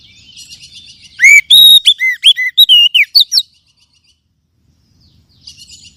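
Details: Lure song of an Oriental magpie-robin, meant to boost singing in caged birds. A rapid string of loud, sweet whistles, rising and falling, lasts about two seconds, then quiet, then faint high twittering.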